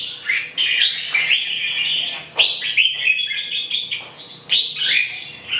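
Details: Red-whiskered bulbul with a run of rich, fluty warbled phrases, several sharp snapping clicks interrupting the song, all close and clear.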